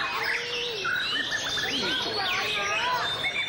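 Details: A White-rumped shama's song display, with a low, level whistle followed by a jumble of bright, sliding whistled notes and chirps.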